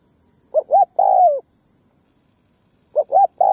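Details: Spotted dove ground lure call to attract males and females: two clipped coos and a longer sliding coo, a two-second pause, then the phrase starts again; faint steady high hiss throughout.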